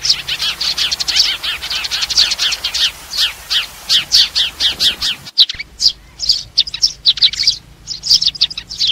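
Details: Sparrows calling the flock, a recording used to lure birds for trapping: dense runs of short, high chirps repeated rapidly, with a brief break midway before more scattered, sharper chirps resume.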